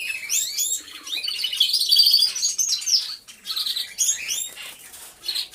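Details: Chorus of canaries in an aviary, recorded by a hidden camera; quick repeated chirps and sweeping whistles, roughly three notes a second, with overlapping trills from several singers.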